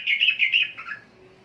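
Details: Sooty-headed bulbul from the Indonesian archipelago: a short, bubbly run of bright chirping notes, loud at first, then fading away in the last half second.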